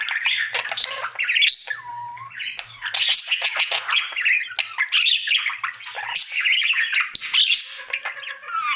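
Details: Budgie, a cheerful male kept as a pet, in his everyday singing session: busy unbroken chatter of rasping squawks, a clear whistled note and rapid twittering.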